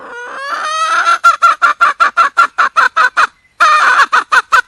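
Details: Red junglefowl hen, wild, calling to find a male: one rising drawn note leads into a rapid, steady string of about eighteen sharp clucks with a brief pause near the end.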